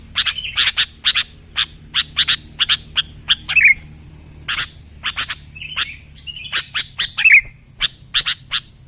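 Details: Sooty-headed bulbuls (kutilang) calling back and forth in response to one another: many short, sharp notes in quick irregular runs, with occasional sweeter slurred notes and a constant high-pitched whine in the background.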